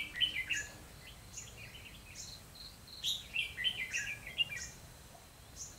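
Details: Red-whiskered bulbul used as a decoy during bird trapping on 12/11/2016, singing to challenge rival birds; bright, quick phrases of chirped and warbled notes in clustered bursts, some sweeping high, repeated at an uneven pace over a quiet outdoor background.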